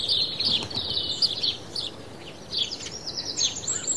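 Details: A flock of sparrows bathing in water and dust chirps and chatters together in a steady, overlapping stream of short, bright, high notes, with light background noise.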